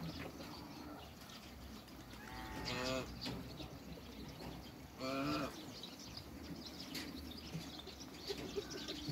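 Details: A pair of African geese kept in a backyard among other waterbirds; two loud, harsh, harmonic honks, one near three seconds and another near five, over a steady rustling farmyard background.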